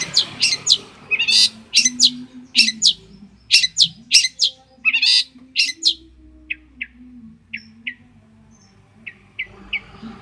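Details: Champion long-tailed shrike from Banyuwangi, recorded for training songbirds. Harsh, scratchy bursts repeat irregularly, then give way to soft, spaced high chips over a low droning hum.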